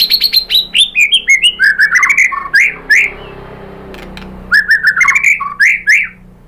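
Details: White-rumped shama song used as a lure to provoke other birds into singing: rapid varied whistles and chattering notes, many sliding down, in dense bursts with a brief pause near the middle before the phrases resume.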